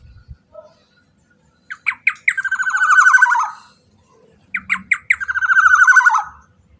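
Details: Black-naped oriole lure call, played to draw other orioles into singing: two bouts, each a few sharp rising notes, then a long, buzzy, nasal rasp of fast pulses that slides downward and fades. Quiet gaps between bouts.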